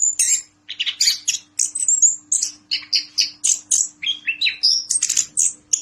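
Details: Caged orange-headed thrush singing a varied, fast run of loud high whistled and scratchy phrases, rapid notes sweeping up and down, short phrases following each other almost without pause; a faint steady low hum runs underneath.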